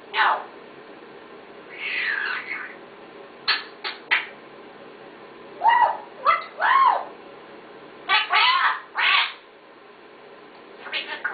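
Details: A pet parrot talking indoors: short mimicked word-like phrases with rising and falling tones, clipped squawky syllables and a few sharp clicks, separated by pauses, with low room noise.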